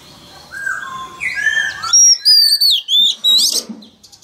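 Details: Male Oriental magpie-robin in full voice to coax a wild-caught young bird into singing along. Softer warbles give way to loud, clear, downslurred whistles in a rapid sequence, with a faint background hum.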